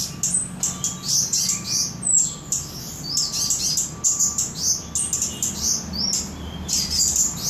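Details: Mountain leafbird (cabai gunung, toli-toli) from Samarinda delivering high, sharp chirps and quick sliding whistled notes in dense bursts, while a faint thin tone repeats about once a second in the background and a low hum persists.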